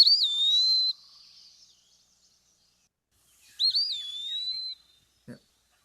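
Eastern Wood-Pewee giving two clear, slurred whistles, each rising then dropping and trailing off, about three seconds apart; a faint click at the end.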